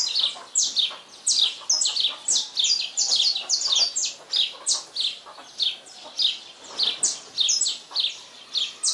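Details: Dawn song of a saffron finch: a long, busy series of piercing high chirps, each sliding downward, repeated almost twice a second in uneven clusters with little else audible.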